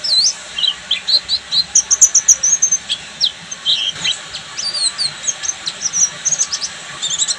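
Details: Pleci Buxtomi, an Oriental white-eye, in full ngeriwik song: dense high twittering with rapid trills, sharp upslurred chips and buzzy runs tumbling together for over seven seconds, a soft insect-like hiss beneath.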